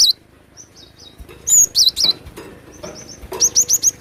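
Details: Excited Java sparrow singing: scattered soft high notes, then a loud run of wavering whistles, followed by a quick rhythmic series of five sharp, rising high chips, with faint clicking between phrases.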